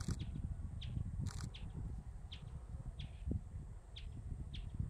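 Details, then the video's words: Bristled Grassbird, a vulnerable species, calling in Baruipur grassland near Kolkata, West Bengal, India, on 21 January 2023: short high ticking notes repeated about every half second, over steady low rumbling background noise. "Bristled Grassbird call"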